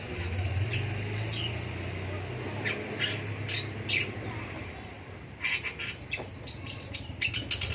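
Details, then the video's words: Long-tailed shrike heard in the morning: scattered squawky notes over a low droning hum, then a denser burst of sharp, harsh chips toward the end. "DENGERIN PENTET BUNYI DI PAGI HARI"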